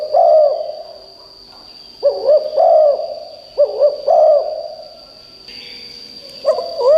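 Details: Spotted dove decoy calling to attract wild doves: deep rounded coos delivered in clusters of two or three separated by short silences, with a continuous high-pitched electronic-like whine throughout.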